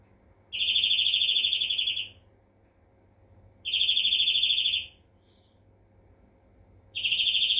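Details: European greenfinch singing: long buzzy, nasal wheezes, each about one and a half seconds, repeated roughly every three seconds, with quiet pauses between and no other birds clear.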